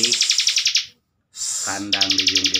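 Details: Bar-winged prinia kept in a cage as a training master for contest birds, giving fast buzzy pulsed trills separated by a short silence, with a low steady hum and faint voices behind.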